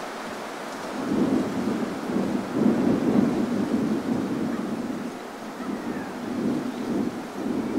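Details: Rumbling surf and wind buffeting the microphone, with low pulsing waves and no clear animal voice.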